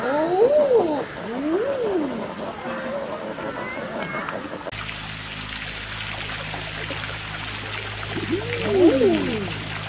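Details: Captive Common Eiders at Zoo Leipzig and Jaderpark, Germany; the males, using their pale pink throat pouch, give soft, crooning rising-then-falling 'ah-ooo' coos, a few spaced calls, with thin high bird whistles and a steady rush of water and wind.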